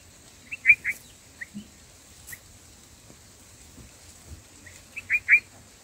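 Black-headed bulbul giving short, bright chirps in two quick bursts of three or four notes, a few seconds apart, over a faint, steady high hiss.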